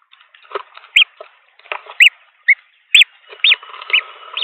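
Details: Green wood hoopoe nestlings, three hatchlings in a nest in Pretoria, South Africa, on 17 December 2022, give short, arched, squeaky high calls about twice a second during feeding, over scratchy rustling and shuffling noises.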